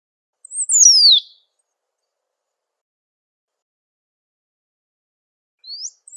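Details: A great pampa finch in natural surroundings gives one bright phrase that falls in a slurred whistle. A long quiet gap follows, then a rising note begins the next phrase.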